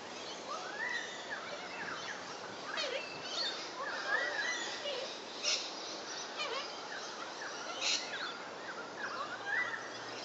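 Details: Little corella recorded on 30 August 2011: harsh, scratchy screeching notes, several short rising and falling calls repeated irregularly over ten seconds, with overlapping squawks against a steady background hiss.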